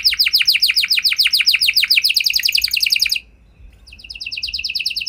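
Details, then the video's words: Canary song used to prompt other canaries to sing in reply: fast trills of descending high-pitched notes repeated about three or four times a second, a brief pause, then a softer rapid trill resumes. "Kenari Gacor Lagu Istimewa! Langsung Nyaut Kenari Mana Saja Dengan Suara Burung Kenari Ini"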